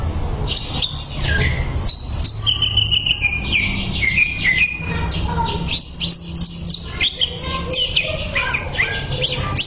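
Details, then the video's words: Greater green leafbird, a cucak ijo master recording for training, with a dense, varied medley of sweeping whistles, chips and slurred phrases over a low background rumble. "MASTERAN CUCAK IJO SANGAT MAHIR UNTUK TERAPI"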